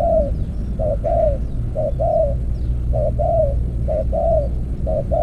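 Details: Decoy spotted dove in an earthen trap cage, calling in soft two-part phrases, a brief coo and then a drawn-out downslurred one, roughly every second; a constant low hum runs beneath and faint thin chirps appear above.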